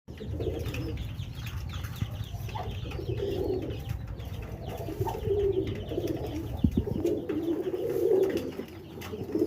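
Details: Pigeons cooing in low, throaty, rolling phrases that run almost continuously, over a steady deep rumbling background noise with faint higher chirps.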